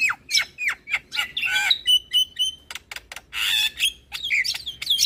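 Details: Javan myna lure song, full of varied phrases, meant to trigger replies from other starlings; curved whistles and clicks give way to a steady high whistled note and harsh rasping bursts.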